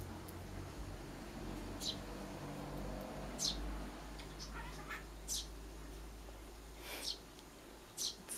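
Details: Eurasian tree sparrow chick begging for food while its mother looks away: thin, high, downslurred squeaks repeated every one to two seconds over a low hum and soft background voices.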